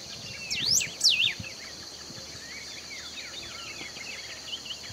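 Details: Recorded in Esperanza, Argentina, 2019: a golden-billed saltator delivers a loud, sharply rising and falling whistled phrase. Softer chirps from other birds and a constant high insect drone continue behind it.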